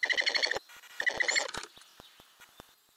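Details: Ural owl nest box with owlets, recorded from a camera under the lid in May 2020; two short gritty rattling bursts, then scratchy shuffling and faint clicks fading out.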